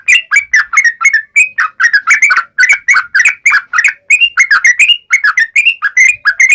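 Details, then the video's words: Steady sharp ngalas-style song of a yellow-vented bulbul, meant to spur other bulbuls into singing. Continuous quick, warbled, slightly whistled notes come in tight groups, several per second, with no other sounds. "trucukan gacor NGALAS TAJAM ini AMPUH SEKALI JADIKAN burung trucuk gacor SEKETIKA NYAUT"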